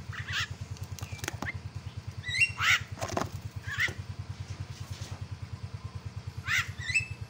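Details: Myna song played to goad an opponent into calling: irregular bursts of harsh, raspy squawks and sharp clicks, with pauses between, over a continuous low pulsing mechanical throb.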